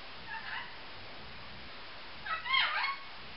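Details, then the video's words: A pet female Grey Green Olive lorikeet gives a soft, brief chatter, then a louder harsh, rasping screech lasting about half a second, with a faint hiss in the background. "Lorikeet Noises"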